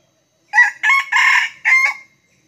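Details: Red junglefowl, a wild bird in Sekampung drawn to a trapper's decoy, gives a loud, clear crow of four hoarse, harsh bursts over about one and a half seconds, the third longest, then stops. The background is silent.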